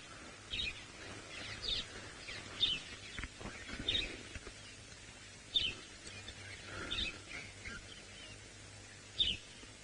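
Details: A sparrow calls around sunrise on 13 April 2018 in Djuma Game Reserve, Sabi Sand, South Africa, giving short, high chirps at irregular intervals of one to two seconds over a steady low rumble and faint outdoor noise.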